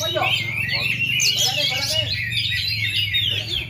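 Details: Oriental magpie-robin from Indonesia that failed to molt for two and a half years yet still performs at full power: loud, continuous song of quick whistled and buzzy phrases, rich and varied, over a low steady hum with brief human voices.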